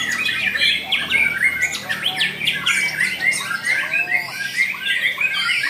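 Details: White-rumped shama in a singing contest: a dense, fast stream of harsh chattering and squawking notes with brief whistled slurs, delivered in rapid bursts without pause, over a busy backdrop of other birds.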